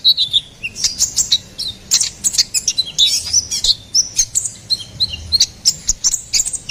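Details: Ruby-cheeked sunbird singing energetically: a rapid stream of high, thin tweets and sharp chips, some slurred up and down, delivered in quick clusters with clean surroundings.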